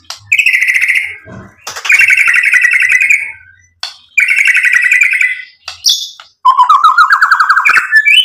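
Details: Shama song rich in imitated fill material, meant to excite listening birds: long buzzy trilled bursts held for about a second each, separated by short silences, then a rising rattling run of notes.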